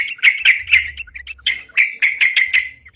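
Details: Sooty-headed bulbul in gacor song, meant to lure birds: short bright chirps spaced roughly every quarter second, some slurred, over a faint low hum.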